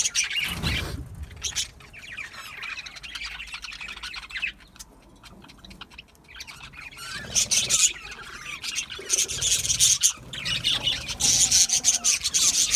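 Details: A small home setup of budgerigars: a loud thump early on, a quieter lull, then dense high chattering and rapid scratchy chirps building through the second half.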